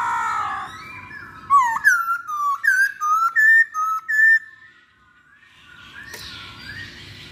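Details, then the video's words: Poksay hongkong, or masked laughingthrush, from a pancingan lure recording: a noisy opening, then a lively run of about eight loud slurred whistles, alternately dipping and rising, before fading into quieter murmuring. "Pancingan Poksay Hongkong"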